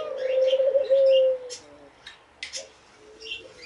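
A Eurasian collared dove gives a low, hollow, drawn-out coo, followed by a softer one. Small birds chirp high above it, with a few sharp knocks.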